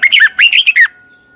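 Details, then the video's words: Red-whiskered bulbul song for voice training, 'căng lửa' style: two bursts of loud, warbling whistled notes with quick up-and-down slurs, about seven notes in under a second, then a thin steady tone. "luyện giọng cho chào mào hót hay - căng lửa"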